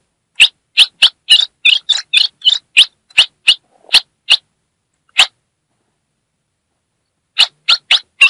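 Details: Female Ultramarine grosbeak from the Brazilian Northeast calling to excite a male: sharp, dry chipping notes, about a dozen in quick series over four seconds, one lone chip, a pause, then four more rapid chips.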